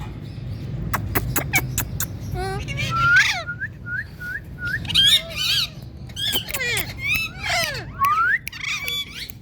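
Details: Ringneck parakeet talking: sharp clicks lead into a row of short whistled notes, then lively warbled syllables and falling squeaks, ending with a rising whistle, with low hum behind.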